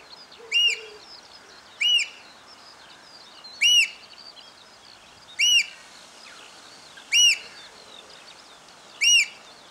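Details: Eurasian oystercatchers piping after rain, recorded from a hide: loud, shrill, ringing 'kleep' notes, six calls about every one and a half to two seconds, with soft twittering of other birds behind.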